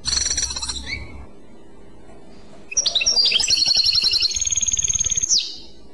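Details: Goldfinch song of the clochette type: brief twittering at the start, then after a gap a fast tinkling phrase that runs into a long, steady, high ringing trill before stopping abruptly.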